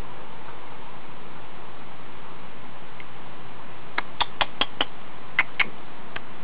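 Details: Tiny House Finch nestlings, only days old, begging in a hanging-basket nest as they wake to be fed; near-silence for four seconds, then a quick run of thin, high, clicky peeps in two short bursts.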